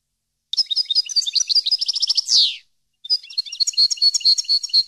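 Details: A European goldfinch sings for use in training caged birds: a long, quick sequence of high, tinkling, rolling twitters, interrupted by a loud, falling, buzzy note and a short break, then more bright twittering.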